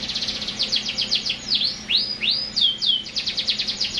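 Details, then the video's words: A canary sings quick trills of bright chirps, with swooping V-shaped whistles in the middle before the rapid trilling resumes. "٣٠ دقيقة تغريد مستمر ورائع مهما كان نوع الكناري خاصتك سيبدء بالتغريد"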